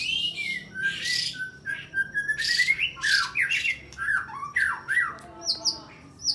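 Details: White-rumped shama in the 'nyujud' fighting style, pressing a rival in a contest, its song filled with sharp small-bird 'tembakan' phrases: loud varied whistles, slurred rising and falling notes and harsh squawky bursts in quick succession.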